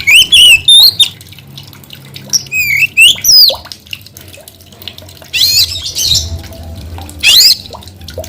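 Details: Kacer, the white-rumped shama, sings a loud, varied song: looping whistled notes and sharp rising slurs, then harsh scratchy bursts, phrases spaced irregularly over several seconds with a low background hum.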